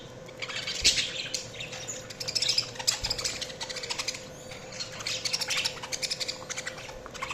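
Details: Budgerigars chirping: a busy, continuous warble of short squeaky chirps and chattering notes, several birds overlapping, with a steady low hum in the background.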